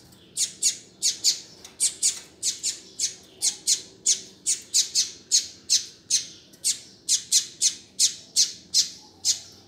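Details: Repeated calls of a double-collared seedeater: a steady series of sharp, high chips, roughly two or three per second and often paired, over a low background murmur.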